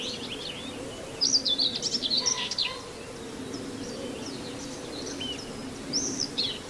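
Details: Common whitethroat singing near Wells-next-the-Sea: short, scratchy, chattering high phrases, one lasting about a second and a half and another near the end, over a faint low background hum and other birds.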